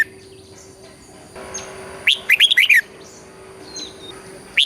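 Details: Red-whiskered bulbul from Thailand singing in the southern master style, played to stimulate birds and teach young birds: one short burst of quick, bright warbled notes mid-clip, an isolated chirp at the end, faint steady hum behind.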